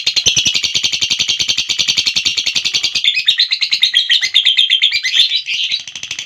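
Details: Long ngekek trill from a lovebird: a steady, fast, high-pitched rattling chatter that shifts partway through into a more varied, squeaky twittering, sustained throughout.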